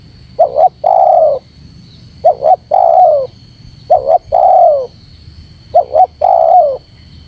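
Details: Spotted dove calling to draw out wild rivals. Four evenly spaced phrases, each a brisk double coo then a longer drooping coo, over a steady electronic tone.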